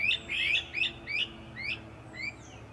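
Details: Echoing calls of great crested flycatchers high in forest treetops: a rapid series of rising whistled notes, loud at first then fading over about two seconds, with low steady background hum.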